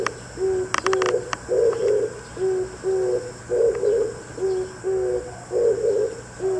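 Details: Oriental turtle dove calling in the early morning, exchanging calls with another dove; low cooing phrases repeated in a steady rhythm, roughly two notes every two seconds, with a brief click-like noise near the start.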